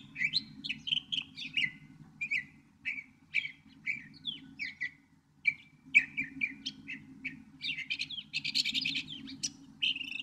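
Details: Northern mockingbird singing a rapid, varied string of short whistled and chirping phrases, each repeated two to four times before switching, with a brief pause near six seconds and a denser burst near the end. A steady low hum runs underneath.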